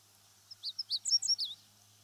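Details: A Meadow Bunting from Japanese fields and grasslands gives a brief, clear phrase of about eight sharp, high, slurred chirps in quick succession, over soft background hiss.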